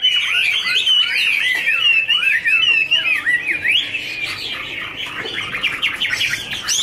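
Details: Garrulax canorus duetting while dancing with fluttering wings: loud, varied whistled warble, curling notes dipping and rising in quick succession, ending in a rapid run of short repeated notes.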